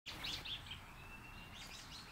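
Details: A Red-breasted Sapsucker, back at a tree "milking" it for sap, gives a few brief, high, squeaky notes, then a thin drawn-out tone, over a steady low outdoor rumble.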